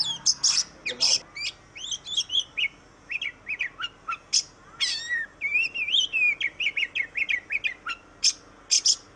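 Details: Oriental magpie-robin, known in Indonesia as kacer, singing: a rich, varied run of slurred whistles mixed with sharp, high chip notes and short buzzy bursts, delivered in quick, uneven phrases with brief pauses.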